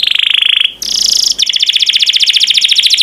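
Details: Canary master song: a steady high trill breaks into a brief shrill buzzy note, then becomes a fast pulsing trill of repeated notes.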